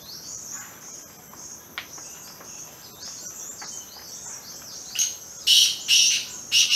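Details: Plum-headed parakeets at Sattal, Uttarakhand, give high, squeaky, down-slurred notes in quick succession, ending in a few louder shrill bursts, over a steady insect hiss.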